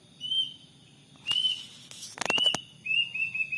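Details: Plaintive cuckoo heard every morning in front of a house: clear, slightly rising whistled notes repeated about once a second, broken by loud sharp clicks and rattling knocks, with a faint low hum beneath.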